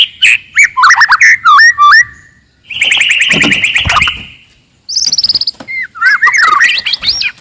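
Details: Aggressive wild forest white-rumped shama singing loudly to provoke rivals: quick whistled notes and hooked slurs, a long harsh buzzy rattle, then a high descending trill and fluty rising phrases.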